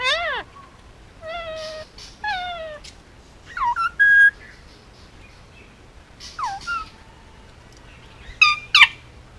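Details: Male Indian ringneck parakeet, almost two years old, hand-fed and kept as a pet on Oahu, Hawaii, making noises: loud harmonic calls that sweep downward, sharp rising notes and short whistles, in bursts separated by brief quiet gaps.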